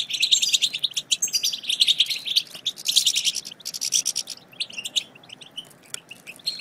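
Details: Goldfinch chatter for rousing silent goldfinches into song: loud, dense twittering and buzzy trills in the first half, thinning to scattered soft chips and short phrases later.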